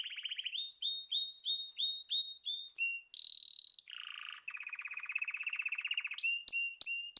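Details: Singing canary delivers repeated rising whistled notes about three per second, then a harsh buzzy burst, a low rolling tour, a fast even trill and a few sharp chips to close.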